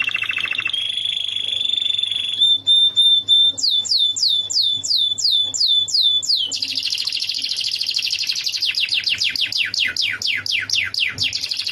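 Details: Canary song played as tutor material for a lovebird to copy: a long steady whistled tone, then rapid rolls of repeated high descending sweeps, ending in a fast buzzy trill of downward strokes.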